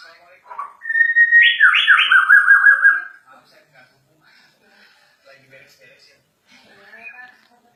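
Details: Agitated Borneo White-rumped shama delivering one loud whistled phrase, a steady note leaping upward then falling into rapid warbled notes, followed by faint quiet chatter.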